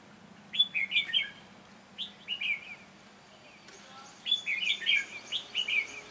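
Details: Red-whiskered bulbul in a trapping session: bright, sharp warbled phrases, a pause, a shorter phrase, then a longer burst of lively chattering notes, with a low steady hum underneath.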